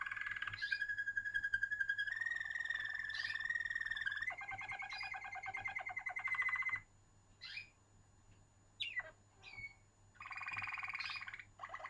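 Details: Waterslager canary song in long, sustained rolling trills, each held for about two seconds at a fairly low pitch, shifting between tours, then brief gaps with short sliding notes and one more rolled trill; constant low hum behind.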